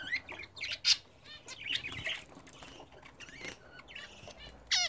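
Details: Pet budgerigars bathing indoors give short, sharp chirps and quick rising whistled notes spread irregularly through the stretch, mixed with brief fluttering bursts and faint background noise.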